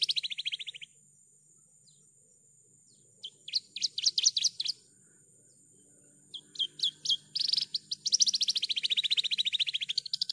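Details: Actively singing Javan bush lark on a tutor recording: a short fast trill, a pause, scattered sharp chirps and quick clusters, then a long buzzy, wavering trill; a steady high tone and low background hum run throughout.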